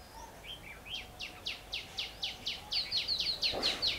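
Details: Red-whiskered bulbul at a trapping site on 17 March 2016, with a decoy bird calling wild birds. A rapid run of about fifteen short, bright downslurred notes, evenly spaced and growing louder, over steady outdoor background noise.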